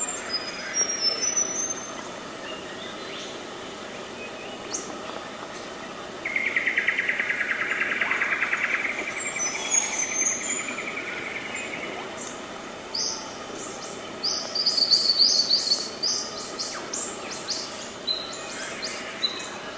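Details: Male satin bowerbird (Ptilonorhynchus violaceus), 31 December 2014, Bunya Mountains National Park, Queensland, Australia, gives a long, harsh, buzzy churr amid high chips from other birds.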